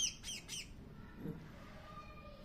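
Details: A hungry pet bird gives three quick, harsh, high squawks in a burst at the start while being hand-fed. Faint background hum follows.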